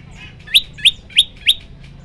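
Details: Four crisp, rising chirps from a prenjak lumut prinia, spaced about a third of a second apart, with a soft low hum underneath.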